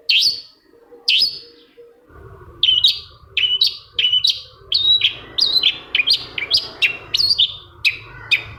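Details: Long-tailed shrike lure song, played to make another shrike start singing: two drawn-out harsh notes, then a brisk run of short chirping notes about twice a second, with a steady low hum underneath.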